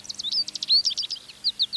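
American Goldfinch song: a quick, light twitter of high, varied chirps and short slurred whistles, tumbling along without a pause. A faint low hum sits underneath.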